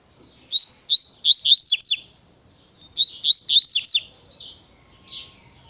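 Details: Rapid 'natureza tui tui pensa' song of a double-collared seedeater: an opening whistle leads into a run of sharp descending chirps, the phrase given twice about 2.5 seconds apart, followed by a few fainter buzzy notes.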